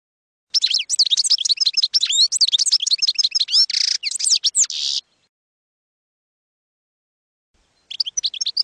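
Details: European goldfinch singing in campero style, recorded for training young goldfinches: rapid high twittering with buzzy, rasping stretches for about four seconds, then silence before a fresh burst of chirps.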